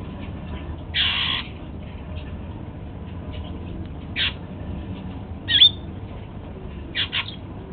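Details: Male Golden-fronted Leafbird at home, pecking apple for breakfast: a longer scratchy rasp, then short clipped harsh notes and a sharp squeaky chirp, spaced irregularly over about seven seconds.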